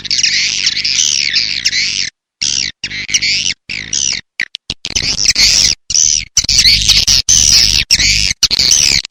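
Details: Swiftlet calls from a lure recording: rapid buzzy twittering in long bursts with wavering pitch, interrupted by short silent gaps, over a low hum.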